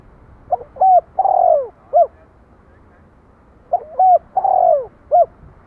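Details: Spotted dove cooing twice: each phrase opens with brief soft hoots and a long slurred coo that slides downward, followed by a short clipped final note, with a pause of roughly three seconds between phrases.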